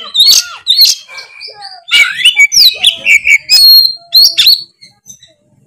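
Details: Oriental magpie-robin in gacor ngeplong song: varied whistles, some long and sliding, mixed with sharp chirps, fading out toward the end.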